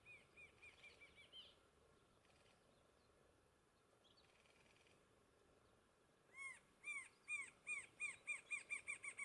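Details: Rufous-winged antshrike (Thamnophilus torquatus) at Ribas do Rio Pardo, MS, 25 April 2021: quiet scattered notes at first, then after a long pause a loud run of nasal, arched notes starting slowly and speeding up toward the end.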